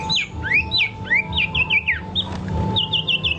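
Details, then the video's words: Quick, varied whistled phrases from a singing bird: notes swoop up and down, then end in a short series of repeated high chirps. A faint constant hum sits underneath. "Birds good singing"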